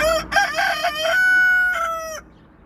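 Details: Rooster crow, loud and clear, opening with choppy syllables, then a long steady held note that ends in a short final syllable, about two seconds in all.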